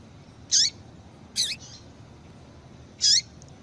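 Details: A female double-collared seedeater gives calls that excite males: three clipped, high chirps spaced about a second apart, the middle one doubled and slightly quieter, each with a quick sweeping tone underneath; faint background hiss.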